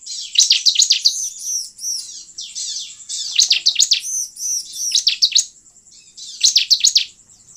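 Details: Bar-winged prinia lure recording meant to attract wild birds: high, rapid bursts of sharp chirped notes in tight runs about a second long, separated by short gaps, with thin arched whistles overhead.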